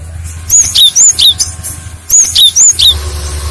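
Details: Cinereous tit lure song that other tits answer: two bursts of paired high whistles, each a sliding note followed by a lower dropping note, over a steady low hum.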